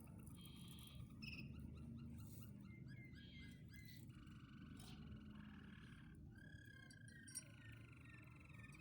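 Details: Waterslager canary from Quetta singing: rolling, bubbling trills and sustained whistled notes at mid pitch, shifting between phrases, over a steady low rumble of background noise.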